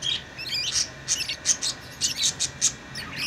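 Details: Pet lovebirds, tamed, give loud, evenly repeated shrill chirps, roughly five or six sharp high notes per second in places, with a few squeaky twitters.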